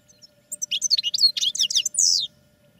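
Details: Caged European goldfinch in training delivers a fast, jangling jumble of high twittered notes ending in a drawn-out buzzy note, then falls silent.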